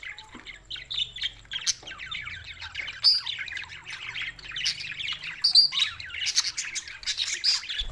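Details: Budgerigars recorded June 7, 2024 in Larkana, Sindh, giving dense, continuous high warbling chatter of quick chirps and squeaky notes, with a few sharp whistled peaks, overlapping without pause.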